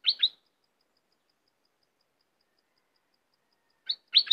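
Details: Two short bursts of sharp, bright cream-vented bulbul notes at the start and end, separated by over three seconds of near silence broken only by a faint regular tick.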